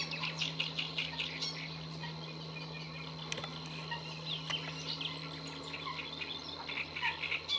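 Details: Great reed warbler singing at Lagunas de La Guardia, Toledo, Spain, on 30 April 2022: harsh, chattering bursts of repeated notes in two spells, over a steady low hum and a thin, constant insect-like whine.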